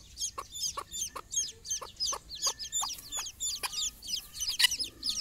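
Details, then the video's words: On a morning walk with their mother hen, chicks on their first trip outside cheep loudly in high, quick, downslurred peeps, while the hen's soft clucks sound repeatedly underneath. "mothers hen call her babys for morning walk"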